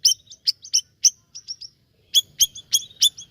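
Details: Siri-siri bird singing vigorously: bursts of sharp, high chirps with short whistled tails, delivered in two quick clusters separated by a brief pause.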